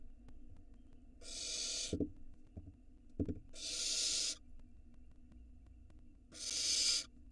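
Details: Nestling barn owl, Israel nest cam, 2022, swallowing a rat whole: three raspy hisses at irregular gaps, with soft knocks and scuffling clicks between them over a low background hum.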